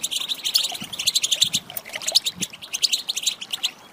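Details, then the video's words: European goldfinch female call for stirring a male to sing: quick, bright, high chirps and liquid twitters tumbling in close succession, with a few sharper accented notes. "Saka Huylandırma Sesi, Garantili صوت طائر الحسون الإناث"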